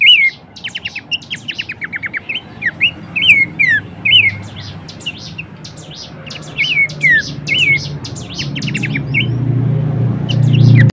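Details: Horsfield's babbler song used as training material for cage songbirds: busy run of bright chirps, short rising and falling whistles and quick descending trills, repeated in bursts over a low background rumble.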